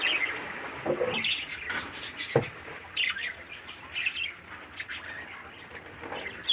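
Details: Baby parakeet, thirteen days old and kept in captivity under a breeder bird's care, makes a steady run of scratchy, chattering chirps with irregular louder peaks.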